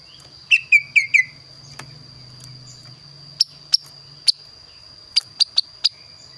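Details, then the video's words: Singing kaso-kaso bird noted for a unique, varied voice: four quick whistled notes open the phrase, followed by scattered sharp dry clicks and taps and a steady high hum. "burung kaso kaso gacor suara unik"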